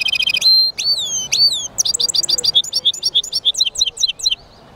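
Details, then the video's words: Song of a European goldfinch mule (jilguero mixto): opening buzzy twitters, then clear downslurred whistles, followed by a quick run of sharp repeated high chirping notes and twittering that carries through to the end. "European Goldfinch mule singing"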